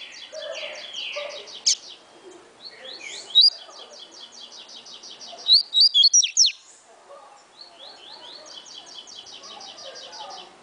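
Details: Fast-singing caged double-collared seedeater, a tournament bird sung 16 to 28 songs per minute, giving long rapid buzzy trilled phrases with pauses, interrupted by loud sharp clicks mid-song.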